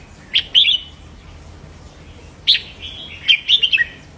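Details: Red-whiskered bulbul in a cage giving doubled song phrases meant to stimulate caged birds: a short two-part whistled phrase, a long pause, then a longer rich phrase of rising and falling liquid notes.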